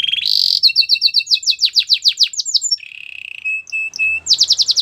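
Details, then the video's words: Canary singing a varied song: a quick rising note, repeated downward-sweeping whistles over a low steady tone, a buzzy rolling phrase, then a flat held note and fresh rapid sweeps. "Canary bird sounds at it best"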